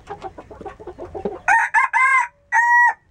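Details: Saigon Green Legged rooster with green feet: a rapid series of short low clucks, then a loud, clear crow in broken syllables, three strong pulses, a brief pause, and a final sustained note.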